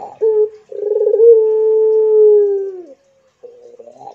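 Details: A Barbary dove of the pelung type gives one long coo. A quick rolled note is followed by a sustained steady tone of about two seconds that sinks gently at its close, then quieter murmuring notes.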